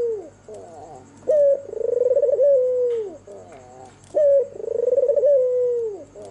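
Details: Albino white turtle dove with red eyes singing at night: a clear opening note, then a long vibrating coo that glides down, repeated about every three seconds, with softer rolling notes between phrases and a faint steady hum.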